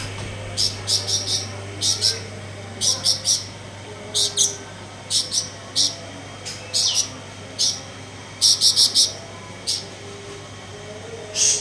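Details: Blue-winged leafbird singing after bathing: bursts of sharp, high, clicking chirps in quick clusters of three to five, repeated every second or so, with a faint low hum underneath.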